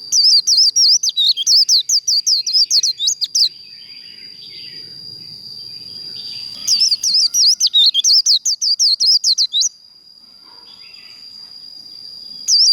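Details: Two bursts of rapid, high, zigzagging twitters from a Japanese white-eye singing líu contest song used in kích lửa training, each burst about three seconds long and separated by a pause filled with a constant thin whine.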